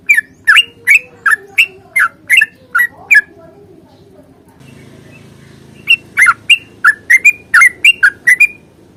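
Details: Bulbul song called trucukan 'tarung ropel panjang', a long rapid fighting song used as a lure to get yellow-vented bulbuls singing. A fast run of clipped slurred notes, a three-second gap with faint murmuring, then a denser burst of chattering notes.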